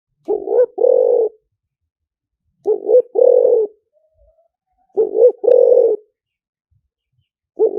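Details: Spotted dove decoy song of the liw tan style, used to lure birds in quickly: low, mellow two-part coos, a short note then a longer rolling croo, repeated about every two seconds in quiet surroundings.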